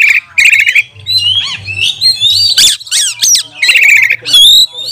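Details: Lure song of an Oriental magpie-robin, meant to train and rile up other magpie-robins: scratchy buzzing trills alternate with clear rising and falling whistles and sharp chips, over a faint low hum.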